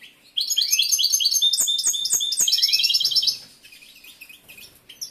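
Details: European goldfinch (Carduelis carduelis), a male in breeding condition whose mate is unresponsive, sings a fast, tinkling run of high twittering and liquid trills for about three seconds, then quieter chirps as he stops singing to eat.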